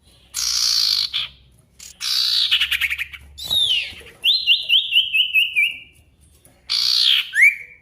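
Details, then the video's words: A sirtu singing vigorously in a lure recording meant to make silent birds sing and answer a rival. It gives loud harsh buzzy bursts, a rattling trill, then a series of six clear falling whistles, and ends with more buzzes and an upslurred note. "PANCINGAN SIRTU GACOR MANGGIL LAWAN COCOK UNTUK SIRTU DIAM AGAR CEPAT BUNYI DAN GACOR"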